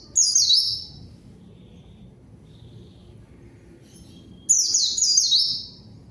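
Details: Zosterops song used as a lure for rivals and silent birds; two short high twittering phrases of descending notes separated by a long quiet gap with faint background hiss.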